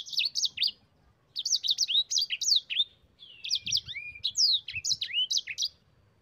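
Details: Yellow-fronted canary rolling song, played as a master recording for teaching other cage birds: quick bursts of high chirps and downslurred whistles in phrases separated by short pauses, with a clean quiet background.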